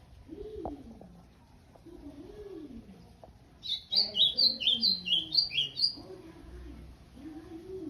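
Ultramarine grosbeak gives a quick run of about nine bright, high, slurred notes lasting two seconds, over low rising-and-falling tones like speech or music.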